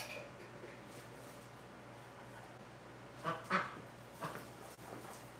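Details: Domestic ducks kept in a hospital pen, recorded on February 12, 2018: two short, raspy quacks in quick succession past the midpoint, then a fainter one, over steady hiss and low hum.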